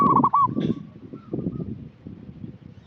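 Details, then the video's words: Local zebra dove, a lively calling bird, used as a lure to get untrained doves singing: one short phrase of rapid, fluttering coos near the start, followed by a low background rumble and clatter. "Perkutut lokal gacor suara cocok untuk pancingan yang masih bahan"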